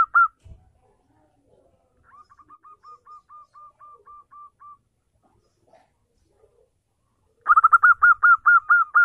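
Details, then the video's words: Local zebra dove singing briskly, used as a lure to get a silent dove to answer: a soft run of short, even, hooked coos mid-clip, then a louder rapid burst of about ten clipped notes at the end, with near-silence between. "perkutut lokal gacor pancingan ampuh perkutut bisu langsung nyaut"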